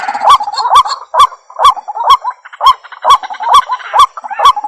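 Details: Lure recording of a White-breasted waterhen (ruak-ruak), used for trapping: hoarse, honking notes repeated roughly every half second, with a denser, overlapping burst of croaks at the start.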